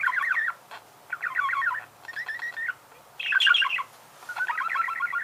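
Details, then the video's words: Budgerigar song: five chattering phrases of quick, wavering, nasal notes, separated by short gaps of near silence. "Пение волнистого попугая"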